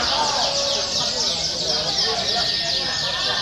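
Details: Canary song used as a provoking call to test fighting canaries: a dense, unbroken stream of high rolling trills and quick sweeping whistles, layered as if several birds sing at once.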